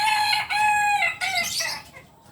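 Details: Native Kukuak Balenggek cock from Solok, West Sumatra, biriang kuniang in colour, delivers a loud, rich, harmonic crow throughout. A long, level opening note is followed by bright, rising and falling tiers that fade at the end.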